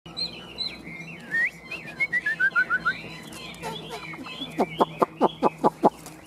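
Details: Chinese hwamei, a well-tamed caged bird, singing a varied song of clear whistled notes, sliding and rising phrases, then a quick series of loud sharp repeated notes near the end.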